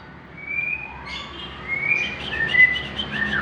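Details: Captive Greater green leafbird song meant to prompt young birds to sing: soft drawn-out whistles that swell into a varied string of higher chirping notes over faint background hiss.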